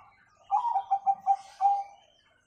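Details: Bangkok-type zebra dove giving one 'kung' song phrase, played as a lure so young birds learn to sing: a short burst of five bubbling, pulsed coos closing on a longer, sustained note, with silence before and after.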